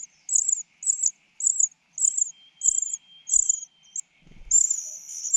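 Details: Common cuckoo chick begging while a foster mother bird feeds it; short, sharp high-pitched bursts repeat steadily about twice a second, then merge into a longer, more continuous shrill call after a faint low rustle.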